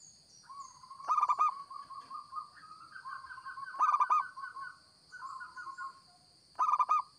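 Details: Local zebra dove in full song for luring: three rapid phrases of clipped coos about two and a half seconds apart. Softer, longer warbling tones from other birds fill the gaps, over a constant high-pitched hum.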